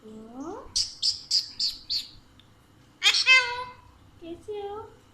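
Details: A playful, talkative pet Alexandrine parakeet talking in Urdu/Hindi: a rising voiced syllable, five quick hissy high bursts, then a loud harmonic phrase and a short tail.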